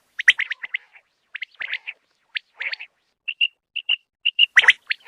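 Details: Common quail call, presented as a quail hunting call: quick, liquid, high-pitched notes, gurgling bursts, then clear whistled pips repeated about twice a second, with no other sounds.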